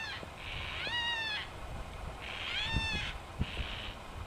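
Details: Yellow-tailed black cockatoos, a group in Royal National Park behind Heathcote oval, give two mournful, harmonic, slightly rising wails about one and a half seconds apart, with softer hoarse notes between and light knocking sounds.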